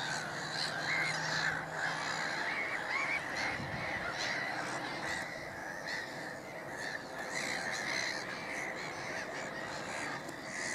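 A noisy crowd of black-headed gulls gives harsh, grating kree-ar calls, overlapping almost continuously at several per second, with a faint low hum early on.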